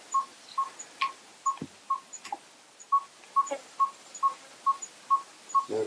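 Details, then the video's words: A Yellow-rumped Tinkerbird, a small African barbet, calls with a steady series of low, hollow tonk notes, about two per second, amid a few faint clicks and rustles. "Yellow-rumped Tinkerbird calls"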